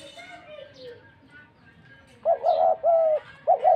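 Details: Dove calling: after two nearly quiet seconds come three loud, steady coos, each level in pitch with a slight waver, in quick succession.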